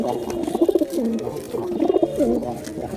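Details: Male and female pigeons cooing: two rolling, throaty coo phrases that rise then fall, separated by a short pause, with faint background hiss.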